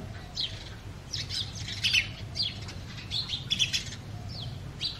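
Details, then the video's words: Breeding-season male house sparrow chirping: loud, clear chirps in quick bursts, some doubled, about ten in five seconds, over a low hum in the background. "The Sparrow Calling"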